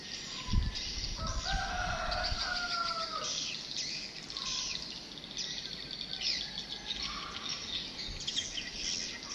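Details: Swiftlet lure sound (2022, bought from Singapore) played to attract birds: dense, high, buzzy chirps and twitters running together steadily, with a few lower whistled notes and dull thumps underneath.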